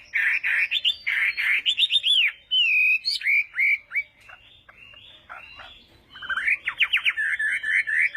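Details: Chinese hwamei in a morning singing session for hwamei duels: loud buzzy-edged whistled bursts, a long falling slur, then a varied jumble of chattering notes and quick rising whistles.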